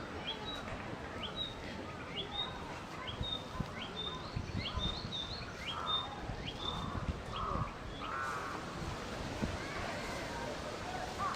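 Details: Narcissus Flycatcher male, summer visitor, singing out loudly during spring migration 2014: a string of clear high whistled notes with lower mellow notes midway, all over a constant noisy background.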